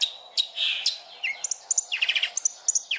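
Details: Cendet, or long-tailed shrike, master song with rich fill phrases: a hoarse rasp, then quick high ticking notes and a burst of rapid chattering trills.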